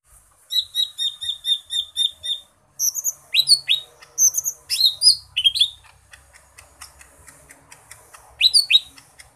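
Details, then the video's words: Green leafbird, known locally as cucak ijo mini, delivering a rich song that opens with a string of rapid identical chirps, then shifts into bold slurred whistles and jumbled notes, with soft ticking behind. "Burung Cucak Ijo Mini isian seabrek"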